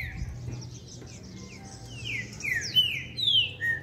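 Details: Trinca-ferro, the green-winged saltator, gives part of a long song sequence: a few sweet whistled notes, each sliding downward, growing louder toward the end over a low background hum.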